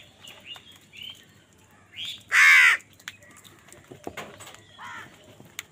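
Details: Angry crows fighting wild birds for food: several short, rising nasal calls, then one loud, harsh, drawn-out caw in mid-clip, followed by quieter caws and scattered clicks.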